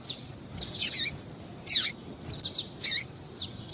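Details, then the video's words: Female Double-collared seedeater calling to excite a male, giving loud, buzzy, downslurred high chirps in irregular bursts, some doubled, with short pauses between. "fêmea de Coleiro Chamando Muito para Esquentar Coleiro"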